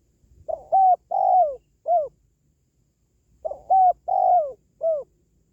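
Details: Spotted dove giving two matching four-note coo phrases about three seconds apart, each with a long sliding middle note; a call for encouraging pet doves or luring wild birds.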